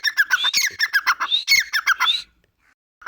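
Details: Grey francolin, locally called Dakhni teetar, giving a rapid, harsh series of squawky notes with a few rising whistles mixed in, about two seconds long, then a pause and one more note.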